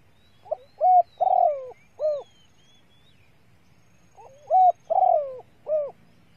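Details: Female spotted dove's lure call for exciting males: two matching phrases about three seconds apart, each a faint lead-in note, a clipped coo, a long quavering descending coo and a final rounded coo; faint high chirps behind.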